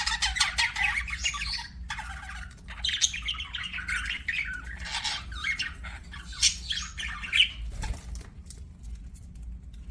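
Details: Pet budgerigar chirping: a steady stream of buzzy, warbling chatter with rapid chirps and scratchy notes, pausing briefly near the middle and again toward the end, over a faint low hum indoors.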